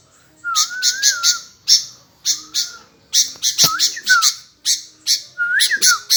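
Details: Sooty-headed bulbul calling on and on in reply: rough squawky bursts in groups of three to five, threaded with a low wavering whistle and short falling slurs, plus a soft thump partway through.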